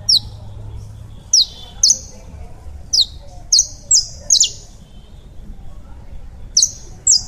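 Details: Colombian-type saffron finch song made of about ten bright, piercing chirps that slide downward, delivered in irregular bursts with a short pause mid-phrase, against faint low rumble.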